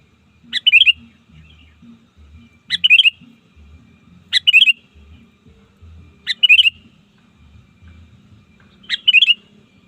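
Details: Lure song of a trained sooty-headed bulbul for calling rivals in the wild: quick liquid warbled phrases repeated about every two seconds, six in all, over a soft low background rumble.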